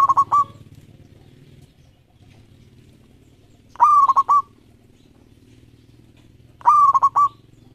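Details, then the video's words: Actively singing local zebra dove with 13 tail feathers: three bright coo phrases of a sustained note chopped into rapid beats, spaced about three seconds apart, over a continuous low rumbling hum. "Perkutut Lokal Gacor Ekor 13"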